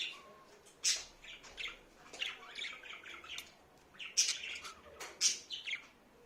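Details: Budgerigar, a talking pet bird, producing rambling scratchy chatter punctuated by several sharp, high clicks and squeaks spaced a second or so apart.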